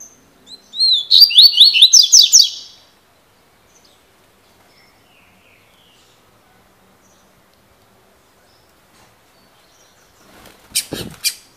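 Double-collared seedeater singing one quick, high phrase of about a dozen slurred, chirping notes over two seconds, then quiet until a brief knock near the end.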